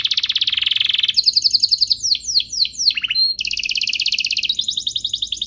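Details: Canary song used to train and stimulate young canaries: loud rolling trill, quick chattering notes, descending swooping whistles, a short pure tone, then another long fast trill.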